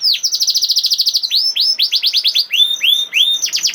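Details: Canary singing in the 'nembak' style, used as a lure to spur silent canaries into song: a fast run of sharp down-slurred notes, then slower looping slurred whistles and brief high trills.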